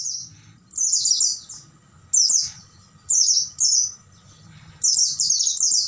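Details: Tutor recording of an Oriental white-eye singing at night for caged birds: high, bright chattering phrases of rapid descending notes, some doubled, irregularly spaced, with a faint low hum beneath.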